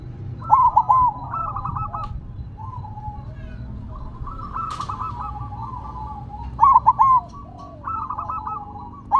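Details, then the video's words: Silver zebra dove kept singing while set down on the ground: low mellow cooing phrases, a quick stuttered burst then a drawn-out rolling coo, repeated twice with a short pause between, over faint background hum. "Perkutut Silver Tetap Gacor Walaupun Ditaruh Tanah"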